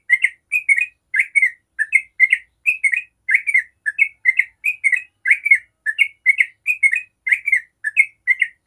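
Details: A yellow-vented bulbul delivering the long 'ropel' song style used to prompt other bulbuls to sing, with evenly spaced double-note chirps repeating rapidly and tirelessly over about nine seconds in a quiet setting.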